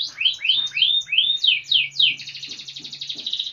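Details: Canary singing in the energetic gacor style: a run of high, sweeping downward whistles, then a fast buzzy trill, over a steady low hum.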